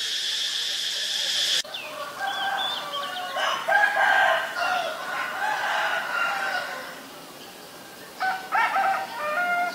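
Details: White-vented myna in Ubon Ratchathani, Thailand, recorded 8 March 2022: loud harsh, harmonic-rich chattering calls in bursts, following a steady high insect drone that stops abruptly after about two seconds, with a further burst near the end.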